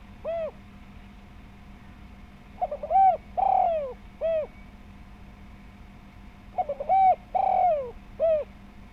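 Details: Lure recording of a spotted dove (tekukur) with a round, full voice, meant to set other doves calling. Soft single coos come between two complete phrases of stuttered notes, a long falling coo and a clipped final coo. A low background hum runs throughout.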